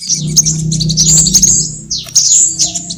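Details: A sunbird lure recording meant for trapping birds, with high, thin twittering and short sweeping whistles tumbling over one another, and a steady low hum underneath.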